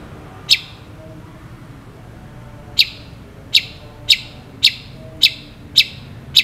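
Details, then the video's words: Long-tailed shrike in full song, recorded as tutor material for shrikes: a lone sharp tick, a two-second pause, then seven crisp clipped ticks in quick irregular succession against a low hum. "CENDET GACOR FULL ISIAN ASLI"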